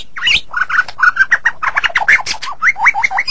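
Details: White-rumped shama in a song recording meant as a model for training other birds: a rapid, varied stream of slurred whistled notes, swooping up and down, with some harsher buzzy elements mixed in.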